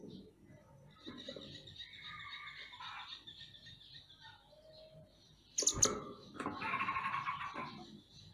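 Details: Mantenan gunung songbird in a master recording for training songbirds, giving a varied song of thin high whistles and short mid-pitched phrases, then a loud burst of sharp chirps and a dense buzzy warble.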